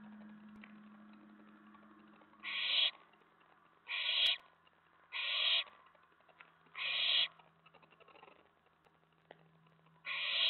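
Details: Nest-box owlet late at night in May 2017, stirred by an owl arriving at the tray after a stashed mouse delivery; five short raspy hiss bursts spread over ten seconds, with a low steady hum early on.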